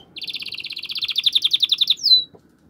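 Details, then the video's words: Singing canary, a strong song to prompt the female to mate: a quick, even chattering trill of about fifteen high notes per second lasting nearly two seconds, ending in one sharp descending whistle. "تغريد قوي لتحفيز الإنثى لتزاوج ستتخد الأنثى وضعية التزاوج"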